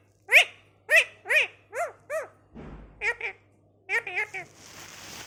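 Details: Talking parrot giving a run of short harmonic vocal syllables, about nine voice-like bursts with chevron-shaped pitch contours over five seconds, followed by a hiss of noise at the end.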